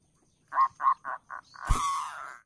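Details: Zebra dove (perkutut) calling as a decoy to attract other doves: four short soft hooting notes, then a longer rolling coo, with a sharp knock or rustle in the middle.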